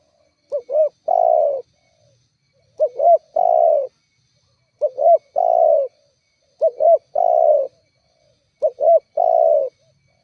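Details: Rival-provoking spotted dove coo used as a lure for wild or kept doves. Five evenly spaced phrases, roughly every two seconds, each two quick coos leading into a longer, softly falling coo.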